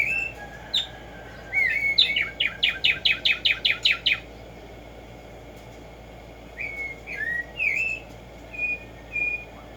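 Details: Black-striped sparrow (Tumba Yegua) song: slurred whistles lead into a quick train of about a dozen sharp, evenly spaced chip notes, then a pause and a row of softer paired whistled slurs.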